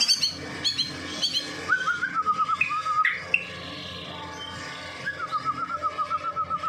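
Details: Persistently singing Medan white-rumped shama, a song used to lure other shamas: clear whistled notes dropping into a rapid repeated trill, a pause with soft chatter, then another long run of evenly spaced whistles.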